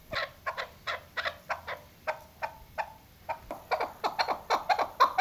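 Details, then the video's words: Female chukar partridge voice used as a hunting call: quick, harsh clucking notes, about two per second, in uneven bursts that grow busier toward the end, with a faint room hum underneath. "chakor ki awaz shikari chakor keklik sesi hunting sound dasi madi female voice"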